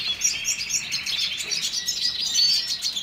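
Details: A Red siskin sings a fast, high, jumbled twitter of short chirps, whistled slurs and trilled notes, without pause.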